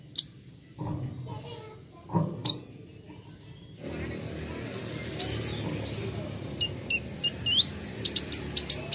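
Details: Plain flowerpecker (kolibri ninja), recorded as singing therapy: low background rumble and a few knocks at first, then scattered very high, thin ticking chirps and quick slurred notes over steady noise.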